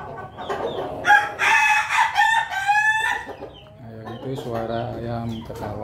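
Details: A laughing chicken rooster, while eating, gives a choppy, stuttering crow in quick bursts, like cackling laughter.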